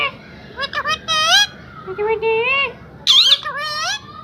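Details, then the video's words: Pet parrot talking: a string of clear, voice-like mimicked syllables with rising and falling tones over about four seconds, loud and close with a quiet background. "Talking Parrot"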